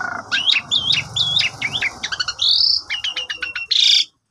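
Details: ['Asian pied starling song used as a morning lure for a sulking caged bird: looping whistled phrases swinging up and down, then a rapid stutter of clicks and a long high buzzy note over steady low background hum.']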